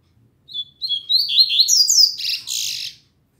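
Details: Double-collared seedeater singing a lot on a Saturday morning, its song described as still weak; a quick run of high whistled notes climbing and sliding upward, ending in a dense buzzy burst, over a quiet background.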